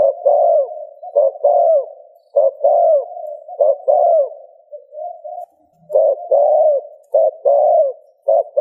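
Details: Spotted dove coos played to get another dove cooing: rhythmic pairs of a short note and a longer downward-curving coo, with a brief pause midway, above a faint steady hum.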